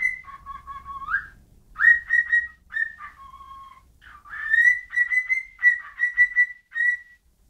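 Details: Whistling bird alternating a higher steady tone with lower, wavering notes, then a run of quick repeated clear whistles ending on a single held note; quiet otherwise.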